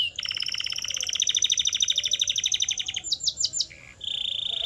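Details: Canary singing for training purposes: a long, fast buzzy trill of rapidly repeated notes lasting about three seconds, a few quick higher sweeps, then a flat steady whistle.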